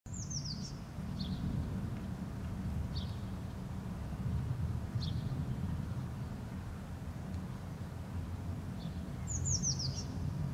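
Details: Eurasian blue tit foraging in an apple bush in Helsinki, Finland, in May, gives very high, thin notes and two quick descending trills, a few seconds apart, over a steady low rumble of wind or distant traffic.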